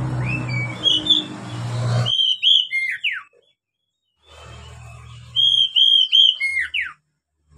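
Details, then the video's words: Oriental magpie-robin song played to teach young captive birds: whistled notes over loud low hum at first, then two phrases of repeated high clear whistles with falling slurs, with short silences between. "SUARA KACER buat PANCINGAN KACER PEMULA agar cepat gacor"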